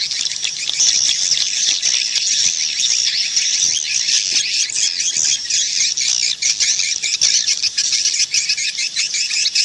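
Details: Swiftlet calls: a dense, continuous high twittering of many overlapping rapid chirps with no pauses. No other sounds are heard.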